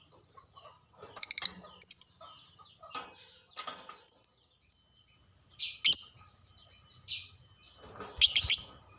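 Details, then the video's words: Caged lovebird song played to trigger other caged lovebirds to sing, a scattered series of piercing high squeaks and scratchy chatter bursts, ending in a dense harsh twittering flurry. "pancingan burung LOVEBRID"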